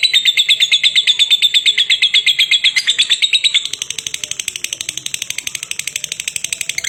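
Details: Caged lovebird giving a long ngekek: a fast, rapidly pulsed chattering trill repeated about three times a second, high and steady, shifting after three seconds into a harsher, buzzier run that carries on to the end.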